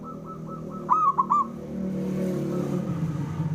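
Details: Male zebra dove of a local strain giving its rival-provoking call; one clear burst of rapid hollow coos after fainter coo notes, heard over strong low rumbling noise.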